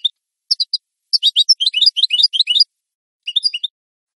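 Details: European goldfinch singing a clean song recorded for training captive birds; short bursts of high twittering notes and rapid trills, broken by pauses of silence.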